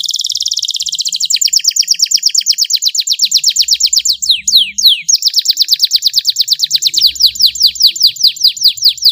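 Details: Canary tutor recording with sharp 'tembakan' shots and ornate 'cengkok' phrases: a continuous run of loud, rapid downward-sweeping notes, several per second, with a brief break midway before the sweeps resume.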